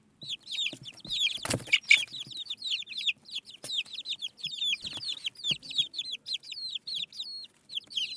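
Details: Crowd of baby chicks giving constant high, piercing peeps, some rising and some falling, overlapping densely, with occasional bumps and scratching noises underneath.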